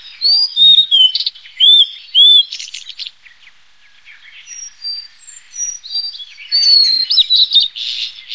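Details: Blue-and-white flycatcher, a bird breeding in northeast Asia and wintering south to Taiwan and southern China: clear whistled upslurred and downslurred notes in quick pairs, then a busier run of thin high chirps and short trills, no other sounds.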